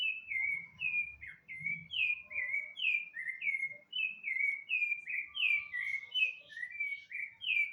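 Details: Rufous-bellied thrush, known as sabiá-laranjeira, in continuous song: a steady run of short whistled notes, many descending, repeated about twice per second throughout, with faint low rumbling noise beneath.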